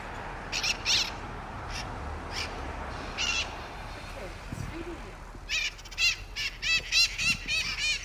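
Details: Mitred parrots in Sunnyvale, adults with young on a rooftop: scattered harsh squawks, then a rapid series of screechy, chattering calls repeated about three times a second, over steady traffic-like background noise and a man talking.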